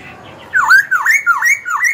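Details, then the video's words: Young caged Black-throated laughingthrush singing to provoke rival birds and train young birds: after half a second of quiet, four loud whistled swooping phrases, each dipping then rising, in quick succession. "KHiếu tơ hót dìu bổi cực hay. Khiếu hót hay kích bổi đấu, luyện giọng bổi, chim non."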